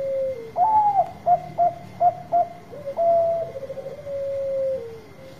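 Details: Zebra dove of the Bangkok type with a big voice, meant to spur silent birds: an opening coo, a rising whistled note, four crisp repeated hoots, then a trilled stretch easing into a long, gently falling coo. A faint high hum continues.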